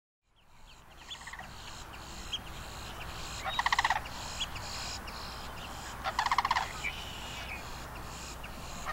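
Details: Long-billed dowitchers seen up close at the Celery Fields in Sarasota, Florida: short, sharp high notes repeated about four times a second, broken by two louder harsh, buzzy bursts, over a steady low background rumble.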